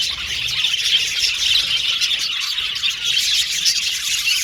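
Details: Budgies singing in a group, a steady bright chatter of tweets and trills running continuously, busy and unbroken, with no other clear sounds.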